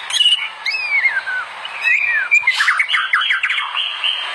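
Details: White-rumped shama, or murai batu, singing for use as a master song: clear rising and falling whistles, then a fast jumble of sharp, slurred notes and a sustained high trill.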